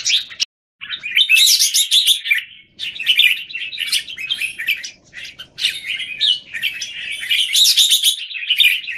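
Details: Caged Red-whiskered bulbuls in Singapore compete in song, January 2019. After a short sharp note and a gap, a long jumble of bright chirps and warbled whistles follows, rising and falling in loudness.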